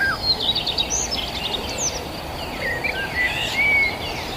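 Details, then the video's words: Countryside birds chirping: irregular high twitters and short whistles, including one clear drawn-out whistle near the end, heard over a background of insect hum and outdoor noise. "the sound of birds chirping"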